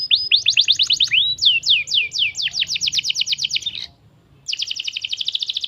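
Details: Young canary song used as a lure to prompt other canaries to answer: rapid repeated whistled sweeps, falling slurs and fast rolls, a brief silence, then a quick trilled phrase.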